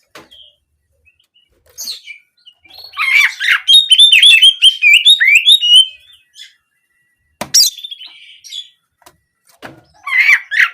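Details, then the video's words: Song of an Oriental magpie-robin (kacer) in the 'nembak kenari' style, meant as therapy to get birds singing for daily practice or competition. Quiet opening, then about three seconds of dense high twittering, followed by sparse sharp chirps. "Terapi Burung Kacer Agar Buka Paruh Gacor Harian Maupun Lomba Suara Nembak Kenari"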